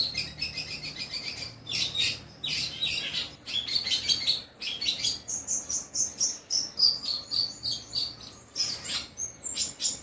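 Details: Mimicking song of a long-tailed shrike with 'kuntilanak' and 'greja petir' imitations: a continuous rapid chatter of scratchy high notes mixed with sliding whistles.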